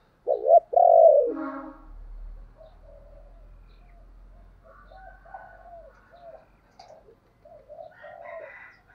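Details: A spotted dove's loud, hoarse coo opens the recording, played as a lure for wild doves to answer. After it come several faint, low, wavering coo phrases, with a soft low rumble underneath.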